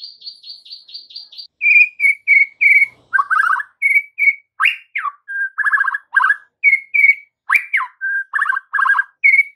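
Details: Lure song of a white-rumped shama for the afternoon, meant to get young shamas singing back: opens with quick high identical chips, then loud varied whistles, trills and swooping notes in a fast, continuous stream.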